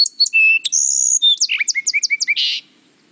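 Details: A Song Sparrow gives a bright, varied song: three repeated clear opening notes, a buzzy whistle, a quick run of slurred chips, then a harsh buzzy ending. No other sounds.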